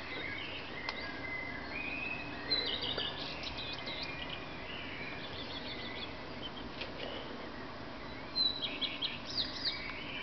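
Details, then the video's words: Male common redstart singing at 4:15 in the early morning in Berlin on 10 May 2010, another male answering from farther off, blackbirds also in the background; short high phrases of clustered, repeated notes near three and nine seconds over steady hiss. "Common Redstart singing/ Gesang des Gartenrotschwanzes"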